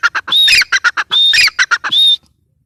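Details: Short run of female grey francolin calls: harsh choppy notes interleaved with high whistled tones, three whistles in about two seconds, ending abruptly in silence.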